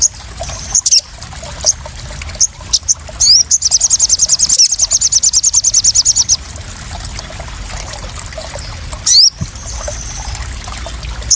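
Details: ['Very high, sharp chirps from a crested jay, played as provoking therapy for newly trapped birds, building into a rapid rattling trill of ticking notes lasting nearly three seconds, followed by sparse single notes.']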